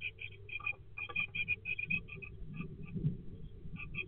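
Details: Great tit calling at a nest box, recorded 20.02.24. Fast bursts of high, sharp chirps in uneven clusters with brief gaps, over a constant low background hum.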